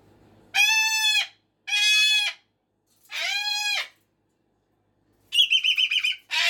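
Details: Pet cockatoo indoors at 5:15 in the morning or evening: three loud, harsh, sustained screams, each under a second long, followed by a raspy, pulsing burst and the start of another scream.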